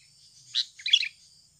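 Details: Sooty-headed bulbul recorded naturally as lure sound: a brief note followed by a bubbly, chattering phrase, set against continuous high insect buzzing.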